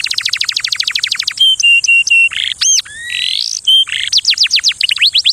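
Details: Canary song opening with a fast run of descending notes, then steady flat whistles, a rising slurred note and looping tones, ending in repeated down-swept chirps; a constant faint high hiss underneath.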